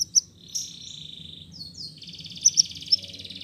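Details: Canary song played as a lure to stimulate canaries that have stopped or are reluctant to sing: rapid high buzzy trills and short sharp notes, a brief pause, then a longer fast rattling trill.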